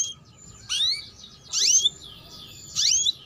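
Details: Canary, presented as a tutor for young birds, giving three separate rising whistled calls about a second apart over a faint steady background hiss.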